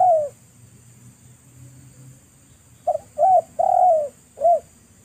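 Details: Spotted dove cooing ('manggung'), heard during a dove-luring session. A lone soft coo ends one phrase, then after a pause comes a fresh phrase: a short low note, a second note, a longer drawn-out coo and a final clipped note, over a faint steady hiss.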